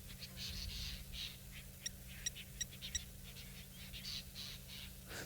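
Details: Lilac-breasted rollers in hot midday sun on an African safari give harsh, rasping bursts in quick irregular succession over a steady low engine hum; possibly an alarm call, they appear to be courting with acrobatic flights.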